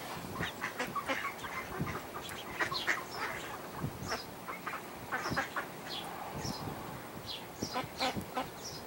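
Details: American black duck and mallard hybrid filmed at Port Colborne on August 11, 2022, giving a steady run of short, raspy quack-like notes, several per second with brief pauses, over a soft constant background hiss.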